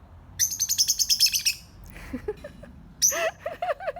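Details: Birds give a rapid run of very high, rattling chirps, then softer low warbled notes, and a second high burst that melts into looping, lower wavering whistles.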